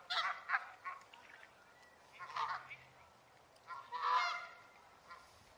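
Canada goose giving loud, nasal honks in irregular bursts, with several calls overlapping into a harsh clamor.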